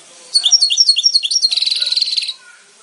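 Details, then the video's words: Singing goldfinch delivers quick high tinkling notes that run into a dense buzzy trill lasting nearly a second, then stop. "the birds of the goldfinch, brilliant"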